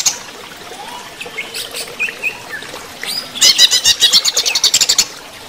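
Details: During running-water therapy, a greater green leafbird (cucak ijo) gives soft, scattered whistled notes, then breaks into a loud, fast run of sharp, high chattering notes lasting about two seconds.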